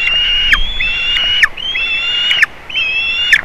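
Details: White-tailed eagles on 27 June 2019, a juvenile visiting eaglets at a nest in Latvia, nest camera: loud, piercing flat whistles, each about a second long, with a steep drop at the close, repeated in tight succession.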